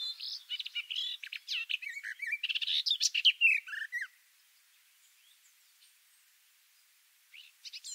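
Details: Garden warbler recorded up close from below a bush, its song a hurried, mellow warbling stream lasting about four seconds, ending with a lower note, followed by a pause and the start of a new phrase.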